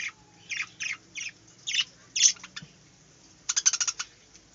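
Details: Caged budgerigars singing in a small aviary: five or six separate harsh chirps spaced about half a second apart, then a quick rattling burst of rapid, evenly spaced clicks near the end.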